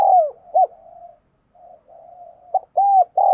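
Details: Spotted dove used as a decoy, cooing to provoke other doves into calling; a strong down-slurred coo and a short note, then soft sustained humming coos, closing with two loud, rounded, arching coos.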